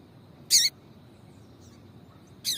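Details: Female papa-capim seedeater calling to stir a male into singing. Two short, bright, high chips about two seconds apart, with a faint steady high hum behind.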